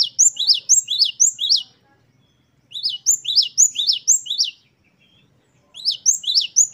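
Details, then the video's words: Gelatik batu, the great tit, in vigorous wucit-wucit song. Three separate bursts each hold roughly six bright, high, repeated two-note phrases, with near silence between the bursts. "Glatik Wucit2 10 variasi Masteran Gelatik Gacor"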